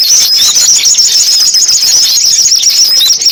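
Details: Compiled sunbird song used as a trapping lure: rapid, jumbled high-pitched twitters and squeaky notes pouring out without a break, bright and thin, filling the whole stretch.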